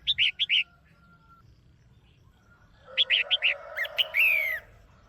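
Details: Caged female red-whiskered bulbul, calling to excite a male: a quick run of four bright, clipped chirps, a pause, then more chirps ending in a downslurred warbled phrase.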